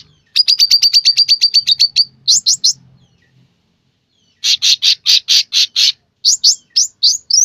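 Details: Sooty-headed bulbul singing actively: a fast run of sharp, clipped high notes, then short triplets, a pause, and another loud series of rapid repeated chips ending in quick rising notes; very close and loud, with faint low sounds in the background.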